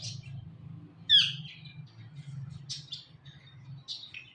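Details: A pet ring-necked parakeet, from a talking compilation, gives four or five short, sharp, high chirps and squawks spread over four seconds, over a steady low indoor hum.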